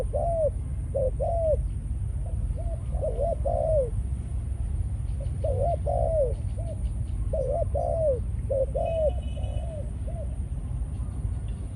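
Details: Captive Malaysian-line spotted dove, a male decoy brought into breeding condition after ground feeding, coos in a run of repeated phrases: short hooting notes leading to longer, falling coos, several phrases in a row, low rumble behind.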